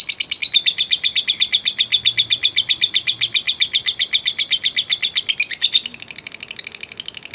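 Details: A fighter lovebird in long ngekek, a lure for stirring other lovebirds: a fast, regular train of sharp, high chattering notes that quickens and rises in pitch near the end.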